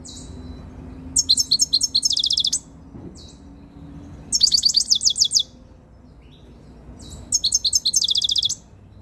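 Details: European goldfinch, a very tame bird coming into breeding condition, recorded up close. It gives three bursts of rapid, bright, tinkling twitter, each about a second long, separated by pauses of a couple of seconds.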